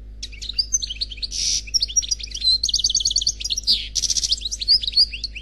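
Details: Khalwi-type song from a single European goldfinch: a lively, continuous jumble of high twitters, thin whistles and fast trills, punctuated by several rasping buzzy notes; soft constant hum behind.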